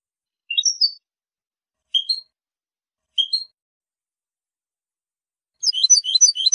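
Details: European goldfinch, clean-style song: three short separate chirped phrases at even intervals, then a sudden burst of fast, jingling high twittering.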